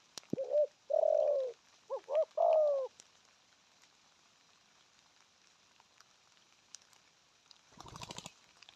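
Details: Spotted dove delivering a few cooing phrases in the first three seconds: short notes, then drawn-out falling coos. Silence follows, then a burst of rustling handling noise near the end.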